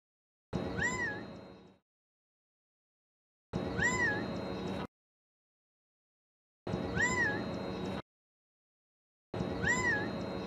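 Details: Gambel's quail sitting atop a tall mesquite tree at Red Mountain Park, Mesa, Arizona, gives an unusual single nasal, mewing note that rises and falls, repeating about every three seconds over a steady background hiss.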